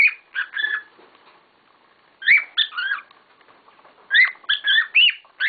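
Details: A group of pet cockatiels kicking up a storm: short whistled chirps and upward-sweeping notes in three lively clusters with brief quiet spells between.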